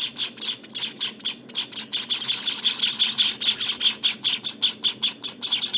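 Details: High, wheezy chirps from Java finch nestlings nineteen days old, coming in quick pulses that speed up and merge midway, then return to a regular beat.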